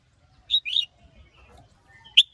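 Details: Male red-whiskered bulbul excited into song by a female, in the sổ bọng and ché styles: two quick bright chirpy notes, then a pause with faint twittering, then one sharp high note near the end.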